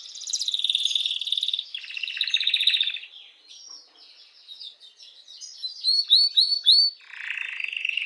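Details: Canary song meant to excite females for mating, with rolling buzzy trills, a quieter warbling passage, then a run of sharp rising whistled notes repeated about every third of a second before a low rattling trill.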